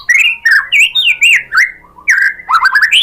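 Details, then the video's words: Provoking song of a white-rumped shama meant to draw a caged bird's reply: loud, varied whistled phrases with slurred rising and falling notes, about three per second. "pancingan MURAI batu bikin EMOSI NYAUT GACOR BONGKAR MATERI ¦ SHAMA BIRD"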